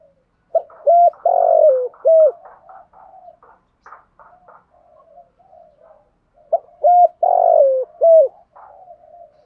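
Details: Spotted dove coos from male and female birds, used to train decoy birds to call: two bursts of low, hollow cooing phrases, each a few short notes around one long, stressed coo, separated by quieter soft murmurs.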